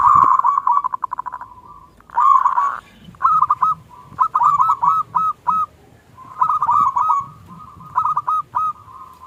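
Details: Lure song of a local Indonesian zebra dove in the small KLUNG style, meant to make silent doves answer. A fast rattled opening, then spaced groups of clear, ringing coo notes with short pauses.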